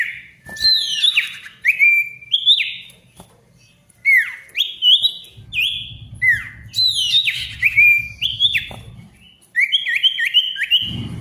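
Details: Lively gacor song of a male ashy tailorbird, played to get stalled tailorbirds singing: loud clear whistles alternating high and low, each sliding sharply, delivered in tight rapid runs with short pauses and a low rumble behind.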